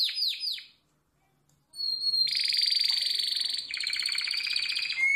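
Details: Harz Roller canary singing, recorded for training other canaries: descending whistled notes, a short pause, then a long, dense buzzy roll that shifts pitch midway and ends on a bright upslurred note.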